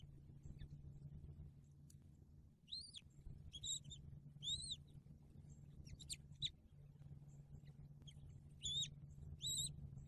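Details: Bald eagle at its nest in December 2022, just after the first eaglet hatched and during feedings, gives high, thin, arched chittering notes in short irregular bursts over a steady low hum of wind or camera noise.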